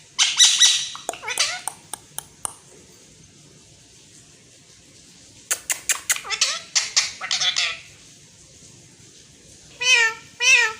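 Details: Indian green ringneck parakeet mimicking Urdu/Hindi speech: rapid clicking, chattering syllables, a silent pause, more clicky babble, then two nasal, wavering speech-like phrases at the end.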